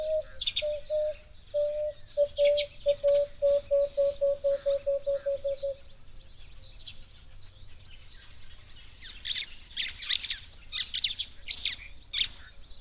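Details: Starlings give harsh, chattering bursts, loudest near the end, at a waterhole on 13 February 2025. In the first half, an emerald-spotted wood dove calls a steady run of about twenty low, hollow hoots.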